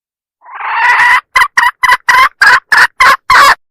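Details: Hen calling as a rooster lure: one swelling, drawn-out nasal squawk, then eight evenly spaced, loud, harsh short notes.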